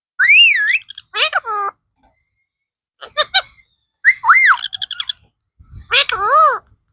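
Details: Talking blue parrot. Bursts of arched, wavering whistled syllables and buzzy harmonic notes come in four groups with short silent gaps between them, in a quiet room.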